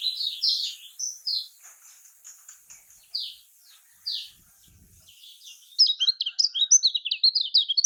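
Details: Lemon-bellied white-eye, known locally as kecial kuning, from Lombok: spaced single high chirps about once a second, then a quick burst of sharp twittering notes.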